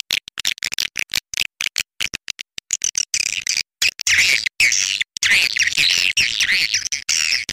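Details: Swiftlet lure call played to attract swiftlets to a nesting house: choppy bursts of high, buzzy twittering broken by short silences, growing into dense continuous chattering in the second half, with a faint low hum.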